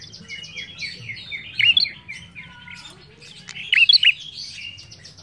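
An ashy tailorbird sings two bursts of loud, sharp high chips about two seconds apart, over a steady wash of fainter twittering and chirps.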